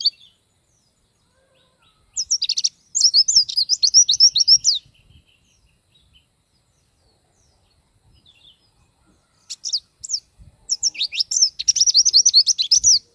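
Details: Loud Oriental white-eye song for training: two long bursts of rapid, high-pitched twittering and trilling chirps, each about two to three seconds, separated by a silent gap of several seconds.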